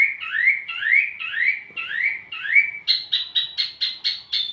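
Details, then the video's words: Wambi mini song for tutoring and luring tledekan: five upward-swept whistles roughly every half second, then a faster series of higher, clipped, buzzy notes. "wambi mini burung pancingan sekaligus masteran buat tledekan anda"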